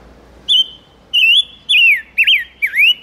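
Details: Lure song of the silver-eared mesia, meant to call in wild birds and rouse males: a sequence of five clear whistles, flat first, then looping downward-and-up slurs, delivered briskly in about three seconds with little background noise.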